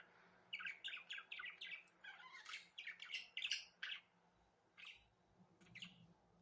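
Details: Budgerigar song: rapid run of sharp repeated chirps, about three per second, then a pause and a few scattered calls; low hum in the background.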